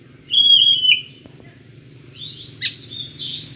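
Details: Oriental magpie-robin with an unusual, strange-sounding voice, used to lure another magpie-robin: one loud whistled phrase with a quavering ending, then raspy, sweeping notes, over a steady thin high tone and a low hum.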